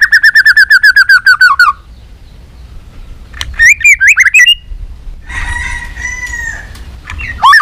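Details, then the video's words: White-rumped shama competition song opening with a rapid repeated chattering trill of about fifteen notes, followed by quiet, then twisting whistles and a drawn-out rough churring note. "chòe lửa nết đập xoay chớm lửa hót đấu"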